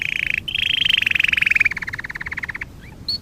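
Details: Canary singing for training: loud rapid trills that step up and drift down in pitch, then slow into a pulsed roll before a short pause.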